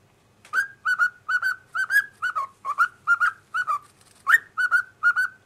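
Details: A pet cockatiel singing along with its owners indoors: a steady run of clear whistled notes, each starting with a sharp click, repeated about twice a second, with one higher, louder rising whistle near the end.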